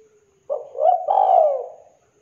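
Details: A clear-voiced spotted dove calling eagerly: a soft hum, then a short rising hoot flowing into a long mellow coo that arches and falls away.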